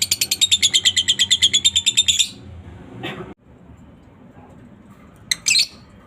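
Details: Lovebird ngekek, a lure to spur other lovebirds: about two seconds of quick, even, high rattling pulses, then quiet with a dull knock and a short sharp double chirp near the end.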